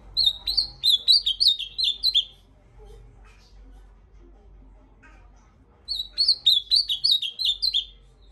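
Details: Ultramarine grosbeak delivering two bursts of rapid, clear whistled notes, each phrase about two seconds of ten downslurred syllables, separated by a long near-silent pause with faint background hum.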